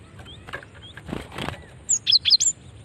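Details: Female cinereous tit call used to lure other birds: a brief burst of four sharp, high chirped notes near the end, with faint thin whistles and rustling noise before it.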